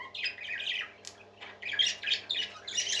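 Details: Parakeets chattering in a small room, a continuous warbling stream of scratchy high chirps and squawks broken by a brief click around one second, steady mains hum in the background.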